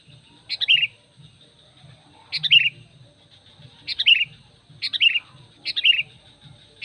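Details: Sooty-headed bulbul giving a lure call used to draw other bulbuls: five short bubbly, chirping phrases, each a quick cluster of bright notes, spaced about one to one and a half seconds apart, over a faint low hum.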